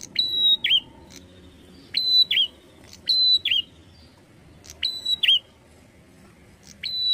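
Bar-winged prinia giving high, whistled phrases, each a level note that drops with sharp ticks, repeated about every one and a half seconds over a faint low hum.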